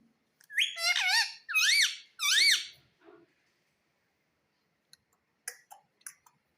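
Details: Pet rose-ringed parakeet in a small room repeating "mummy": three loud, wavering, speech-like phrases with rising and falling pitch, a soft mutter, then brief sharp clicks after a pause.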